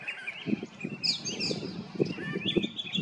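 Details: Brown thrasher singing a Mother's Day serenade on 8 May 2022: varied whistled and slurred phrases, some rising and falling, with brief pauses between them, over a low rumbling background of soft thumps.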